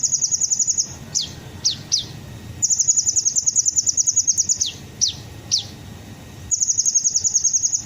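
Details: Sunbird known locally as kolibri ninja, used as a lure so other birds join in: very high, rapid ticking trills alternate with sharp downward-swept notes, repeated in bursts.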